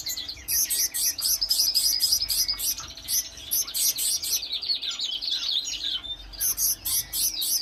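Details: Several birds chirping together outdoors in a dense, continuous chorus of high, rapid twittering notes with few pauses.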